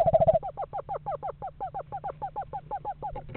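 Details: Eastern screech owl, one of a pair house shopping in November: a brief loud trill opens, then a quieter run of quavering, bent notes repeats steadily about five per second.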